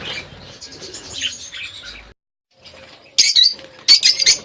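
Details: Colony budgerigars in Pakistan: soft warbled chatter, a brief pause, then loud sharp high chirps in quick bursts with some wing flutter.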